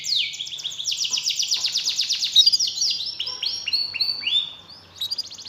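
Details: Lure song of a canary, meant to restart a quiet canary's singing: a fast rhythmic trill of repeated sweeping notes, slowing into spaced downward slurs, a brief pause, then a short high rattle.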